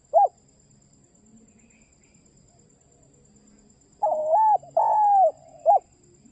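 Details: Spotted dove giving a clear call to its companion. A short mellow coo is followed by a long pause, then a run of three soft coos, the middle ones drawn out and level, ending in a brief final note.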